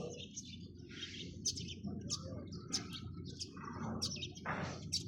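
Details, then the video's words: Chirping sparrows give sharp, high notes at irregular intervals, with scattered softer chirps between, a low background rumble, and a brief broad rushing noise near the end. "চড়ুই পাখির কিচিরমিচির শব্দ Chirping sound of sparrows"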